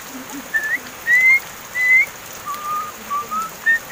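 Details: Crested myna, seven months old, one of several caged birds raised since young and said to be learning to talk, gives clear whistled notes, some rising and some level, roughly one or two a second, with steady rain-like patter behind.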